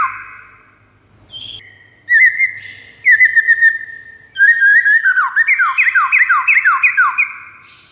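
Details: White-rumped shama song played as a lure for rival shamas: scattered whistles and brief harsh notes, building into a fast run of repeated descending slurs for about three seconds.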